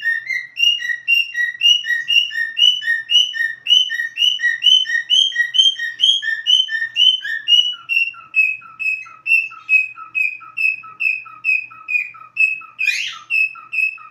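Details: Cockatiel whistling in a long repeated sequence: paired rising and lower notes at first, then settling into a steady higher tone with short lower grace notes, about two per second, with one raspy burst near the end.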